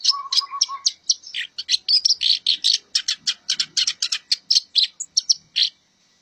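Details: Black-browed reed warbler, a training recording of a very vocal bird, singing a fast, chattering song of varied harsh and squeaky notes.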